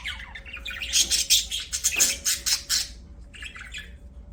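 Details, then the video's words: Pet budgerigars chirping: a dense run of buzzy, scratchy chatter with rapid repeated notes for about three seconds, then a softer, quieter burst of twittering near the end, with a faint steady hum underneath. "BUDGIES CHIRPING SOUND"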